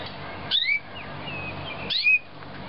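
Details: Young canary of 2009 giving two clear whistled calls about one and a half seconds apart, each a sharp high note sliding down into a short rising whistle, over faint room hiss.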